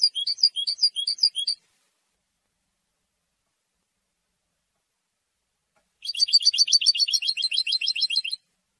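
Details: European goldfinch singing to defend its territory and attract females: two bursts of rapid, high twittering notes, about a second and a half and then two seconds long, separated by a long silence.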